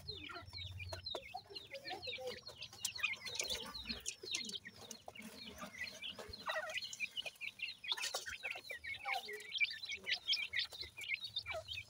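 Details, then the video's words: Teetar (grey francolin) chicks during feeding and care, giving many short, high chirps and peeps in quick irregular bursts, with scattered clicks and tapping noises throughout. "Baby Pheasant Bird Feeding | Teetar Chicks Care"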